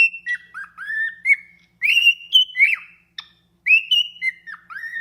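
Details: A captive cockatiel (Nymphicus hollandicus) at a wildlife breeding and exhibition facility sings a clear whistled song of sliding, warbling notes with short pauses.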